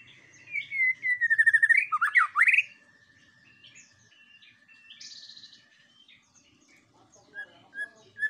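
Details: White-rumped shama song used as a lure call to provoke other birds: a long steady whistle near one pitch, then loud rapid warbled notes sweeping up and down, followed by quieter scattered chirps and buzzy notes.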